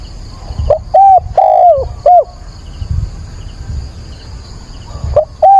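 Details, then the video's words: Spotted dove decoy calling at daybreak, 22 October, in a training session. One complete hooting phrase with a long descending coo, a pause of low noise, then the start of the next phrase. "Cu mồi gáy gọi"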